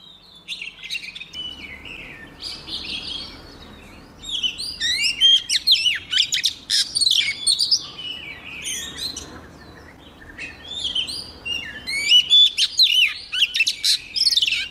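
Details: White-rumped shama female in a cage, song meant to set the males singing strongly; long run of varied high whistles, buzzy trills and rapid chips, broken by a short pause, with soft background hiss.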